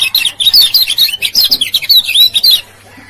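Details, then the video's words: A male lemon-bellied white-eye from Lombok gives an intense ciak-ciak lure call: a continuous rush of high, sharp, slurred chirps for over two seconds, stopping abruptly into near silence with a low hum. "SUARA PIKAT KECIAL KUNING PALING AMPUH HITUNGAN DETIK NYAUT"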